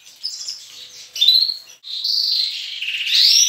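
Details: Canaries, young and adult, in a breeding room at dawn: softer scratchy warbles at first, then louder buzzy trills and a short fast rattle near the end.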